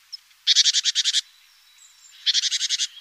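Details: Great tit at a nest box on a webcam, 14 April, active in the morning around the nest: two bursts of harsh, buzzy chattering, each of about eight rapid pulses, separated by a short pause.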